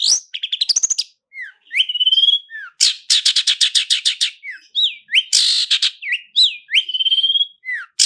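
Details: Lure song of a long-tailed shrike, roll speed and roll tembak style packed with fillers: rapid ticking trills alternate with clear slurred whistles that rise then fall, and dense grating bursts, nearly continuous.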